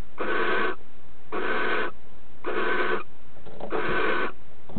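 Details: Female barn owl takes a mouse offered by the male as a bridal gift, then mates with the mouse still in her bill. Four harsh, breathy hisses, each about half a second, repeat roughly once a second.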